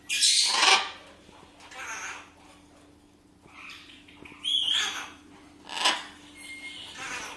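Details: Captive blue-and-yellow macaw being prompted to say hello: loud raspy squawks come in bursts, one at the start and others about every one to two seconds, including a brief whistled note, over a steady background hum.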